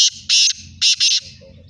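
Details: Sindhi black francolin, one of two birds in a calling contest, giving a harsh, grating phrase of four loud buzzy notes: a short clipped opener, then a longer burst and a closing pair, over a low background rumble.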